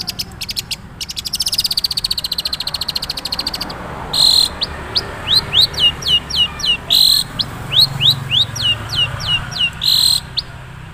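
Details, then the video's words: Long-tailed shrike, Madura type, singing its natural song with little mimicry: rapid series of piercing downslurred whistles, broken by short harsh bursts, after an opening stretch of steady insect-like trilling. "suara asli cendet madura"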